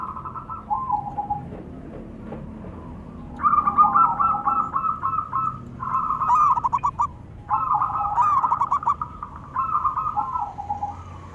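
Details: Pair of local zebra doves, male and female, exchanging calls: after a quieter opening, four long bouts of rapid staccato cooing follow one after another, occasionally overlapping.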